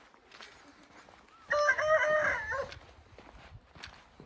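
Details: A Hint rooster gives one loud, rich crow lasting just over a second, rising in strength and then trailing off. Quiet rustles and faint noise come before and after it.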